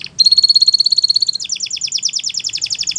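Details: Belgian canary singing for young canaries to learn: a steady fast pulsed trill on one pitch, then a quicker run of paired downward notes.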